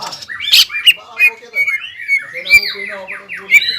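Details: Greater green leafbird in gacor full song with ngobra and jamtrok styles: sharp squawks and short whistled notes near the high range, irregular bursts, faint low hum beneath.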